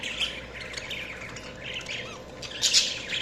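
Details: Budgerigars chirping: busy overlapping warbles and squawky chatter concentrated high, with brief harsh bursts near the end over a steady low background hum.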